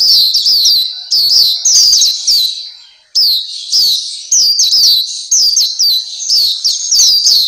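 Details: Black-capped white-eye singing in a tutor recording for kept birds: dense series of sharp, high, falling chirps in quick phrases of about a second, separated by short gaps, with one longer break near the middle.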